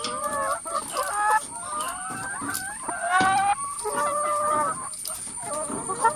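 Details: Hens packed in a coop make varied noise: wavering squawks, short clucks and a harsh rasping burst midway. A steady high whine runs through the background.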